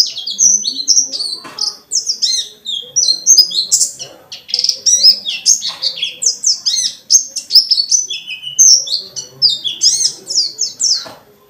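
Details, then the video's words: Dense, unbroken, varied twittering from a dakun white-eye: steep high sweeps and rapid slurred notes in a continuous forest-style song with many fill-ins, used to provoke other white-eyes. "Burung pleci dakun gacor banget,ngalas rapet nyambung isian banyak"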